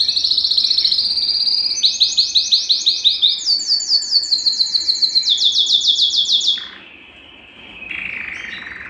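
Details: A Belgian canary sings loud, high rolling tours used to warm up males and stimulate females: a steady trill, then rapid repeated notes at about two per second, then a softer warble.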